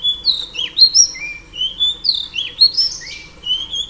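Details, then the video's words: Sweet whistled phrases from a female oriental magpie-robin singing to stimulate males. Level and gliding notes shift up and down, with a few rising trills, in a clear and clean recording. "Than mái hót kích trống P3 Oriental Magpie Robin Female"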